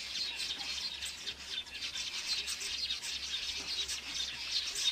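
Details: Southern masked weavers at a nest keep up a dense, buzzy, sizzling chatter of high notes, overlapping and unbroken, with a faint low hum underneath.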